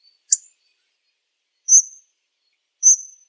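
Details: Short hawfinch sequence: one explosive high tick and two drawn-out high thin notes about a second apart, in silence.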